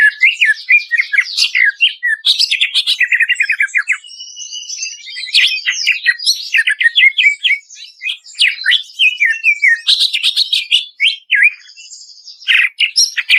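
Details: Greater green leafbird, processed masteran song for training birds to sing: long sequences of rapid repeated chirps like bursts of fire, mixed with slurred whistles and buzzy notes, almost unbroken.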